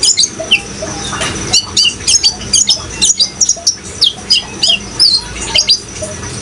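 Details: Lively sunbird (kolibri ninja) song for training young caged birds: rapid, thin, high twittering notes repeated in quick clusters about every half second, over a soft background of flowing water.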